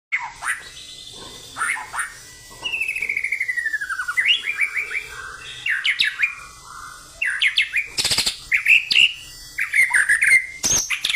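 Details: White-rumped shama song: varied, rich whistled phrases, some long descending slurs and rapid rising-falling notes, delivered in bursts with short pauses, plus a few sharp clicks.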